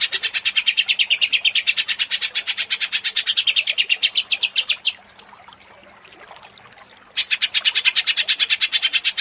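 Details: Greater green leafbird (cucak ijo) in provoked, agitated 'gacor ngentrok' singing used as a lure: fast, evenly pulsed high notes, about three per second, run for five seconds, break off briefly, then resume.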